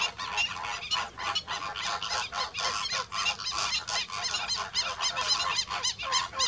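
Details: Greater Flamingos calling with Slender-billed Gulls nearby: a loud, continuous chorus of goose-like honks and gabbling notes from many birds, overlapping in a rough, pulsing rhythm without pause.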